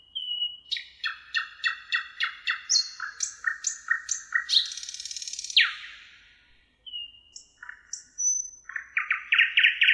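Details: Thrush nightingale on the Emajõgi in Tartu, Estonia, 1 June 2018, delivering loud song: long runs of rapid repeated chopping notes, a harsh rattling buzz, a brief pause, then whistles and clicks building again.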